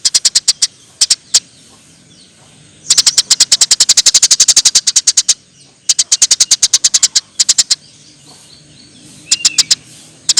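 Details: Eurasian tree sparrow in a masteran compilation: a few scattered chirps, then a long, rapid stream of bright, high chirps, more series after pauses, and a short rising whistle near the end.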